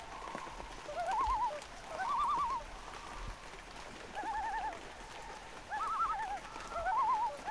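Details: Amid light rain, loons trade quavering tremolos in repeated bursts, some stacked at two pitches at once, each run lasting under a second, with soft rain patter and occasional drops in the background.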